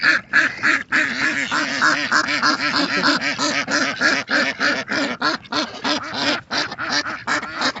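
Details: Ducks living naturally, a crowded group producing rapid overlapping nasal quacks at over three per second, creating a busy, harsh chattering chorus throughout.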